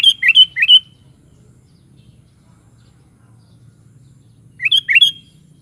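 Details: Sooty-headed bulbul (kutilang) song: two short bursts of bubbly, rising-and-falling whistled notes, each burst about three quick notes, separated by a long quiet gap with faint low hum.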